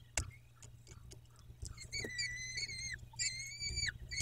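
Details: Peregrine falcon at the nest in Dobra, 14 May 2021 at 14:18: two drawn-out, harmonic whining calls, steady then slightly wavering, each close to a second long, after scattered clicks and scraping sounds.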